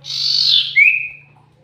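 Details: Common iora (cipoh), a lure recording of a very vocal bird: a harsh, buzzy rush of sound, then a thin whistle that rises and levels off. The whole phrase lasts about a second in a quiet setting.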